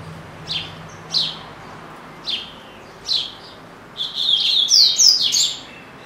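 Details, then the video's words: Pet double-collared seedeater singing in its cage in Brazil: spaced, sharp falling chips about once a second, then breaking into a fast, rich warble of whistled upslurs and trills. "Coleiro Bravo - Canta Muito"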